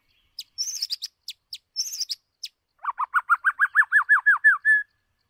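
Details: Song of a white-rumped shama decoy bird for voice training: rapid high chips and ticks, then a fast series of about a dozen lower rising-and-falling notes ending in a short steady whistle.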